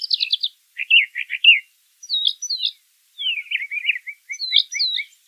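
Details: Brown thrasher song in nature: quick trilled phrases, buzzy doubled notes and a descending series of short chips, bright and varied, with brief pauses.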